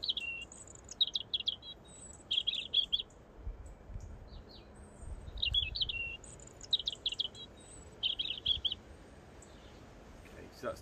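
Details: European robin singing in a garden in February 2021: a lyrical song of short, high, thin warbled phrases about a second long with brief pauses between, over a faint low rumble.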